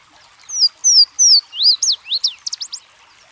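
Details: Bright Louisiana waterthrush song from brook habitat: a trio of piercing down-slurred whistles, then a hurried, chattering tumble of swooping notes and a few clipped chips at the end.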